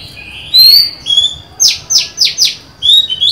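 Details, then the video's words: Female white-rumped shama singing to lure a male, dated 23 July 2020: rich whistled notes with overtones, then four quick high descending sweeps about a quarter second apart, closing with more clear whistles; faint low background hum. "Chòe than mái mới: 23/7/2020; hót hay, kích bổi máu chiến!"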